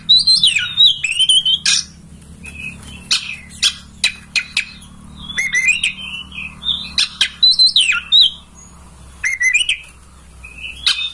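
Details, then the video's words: Oriental magpie-robin singing a master song meant to trigger tail-opening and singing in a kept bird. Rapid bursts of bright whistles and harsher chattering notes arrive in quick, uneven clusters throughout. "Masteran kacer agar ngobra"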